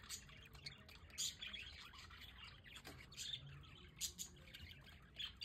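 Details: On a sunny balcony in The Hague, several pet budgerigars keep up a lively, high-pitched chatter of short chirps, clicks and harsh squeaks, louder bursts around the middle.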